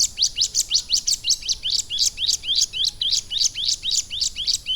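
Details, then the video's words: Caged ciblek gunung prinia trained over about three months on lovebird song, giving a steady series of sharp upslurred chirps, roughly three per second, each sweeping upward, with little background noise. "CIBLEK GUNUNG GACOR ISIAN LOVE BIRD"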